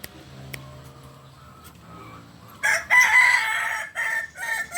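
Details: Kukuak Balenggek rooster, a native chicken of Solok, crowing: after quiet background, a loud harsh crow starts near 2.7 seconds, holds steady, breaks briefly, then resumes strongly at the end.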